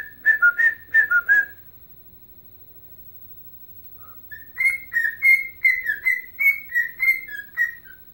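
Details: Pet bird whistling Chelsea Dagger as it dances. A quick burst of five bright whistles, a silence of several seconds, then a steady series of ringing whistled notes that fall slightly at the end.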